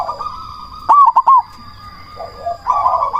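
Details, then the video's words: Loud cemani zebra dove, singing to provoke rival doves to answer. A rolling purr gives way to a trio of sharp, clipped coos, then softer low notes and another rolling trill. A faint steady high whine runs behind. "Perkutut cemani gacor suara BESAR pancingan ampuh bikin lawan langsung nyaut"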